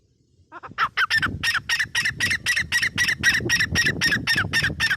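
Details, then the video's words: Grey francolin, the teetar, giving a fast accelerating run of harsh, evenly spaced squawking notes after a short quiet start, about four notes per second, with low rumbling background noise beneath. "GREY FRANCOLIN SOUND ||| TEETAR KI AWAZ"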